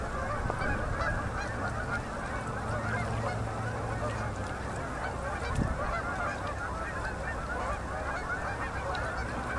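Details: Massed Canada geese on a Manitoba river at sunset in October 2018, fall migrants; an even, far-off blanket of countless honks without pauses, plus a low droning hum for the first half.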